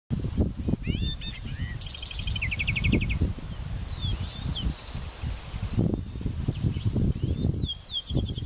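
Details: White-bellied seedeater, wild and free in nature. It gives rapid buzzy trilled bursts and thin, rising and falling whistled notes. Strong wind rumble and low noise run through the whole recording.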